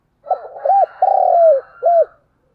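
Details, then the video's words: Calling to attract wild birds, a decoy spotted dove delivers one soft, hollow cooing phrase: two short rounded notes, a long gently falling coo, then a brief final note. "tiếng chim cu gáy gọi mồi và bổi"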